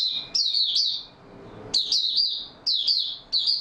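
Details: Cage-kept Oriental white-eye singing steadily on 28 February 2022: sharp, high chirping bursts with quick descending slurs, phrases spaced about a second apart after a short quiet gap.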